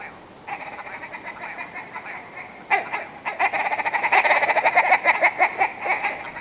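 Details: Willow ptarmigan: quiet clucking notes, then an accelerating, loud, harsh rattle of rapid nasal pulses that peaks and slowly tails off.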